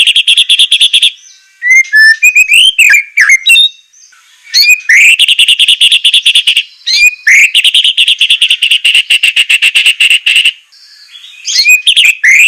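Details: Murai training song in a sharp, harsh style: long, rapid stuttering trills broken by a few whistled and slurred phrases, several bursts each lasting a few seconds.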